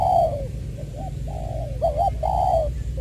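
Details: Spotted dove kept as a decoy bird, from Trà Vinh, Long Đức, Vietnam, 22 February 2021, voice style "Chuẩn Giọng Tiểu"; a long falling coo, softer notes, a quick doubled wavering note, then another drawn, sliding coo, over a steady low hum.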